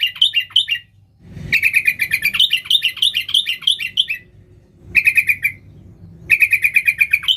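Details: Sooty-headed bulbul in energetic 'gacor' song used to call wild bulbuls: long runs of rapid, rhythmic chirps, fast trilled bursts separated by short gaps, low steady hum in the background.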